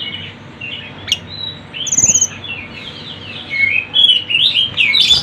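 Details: A Sunda bush warbler, called tledekan gunung, in a training and lure recording: thin high twittering, a short very high trill, then a lively run of rising and falling chirps toward the close.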